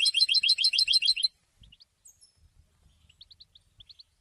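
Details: European goldfinch singing after its moult: a quick one-second trill of bright tinkling notes followed by scattered faint chirps in a quiet room.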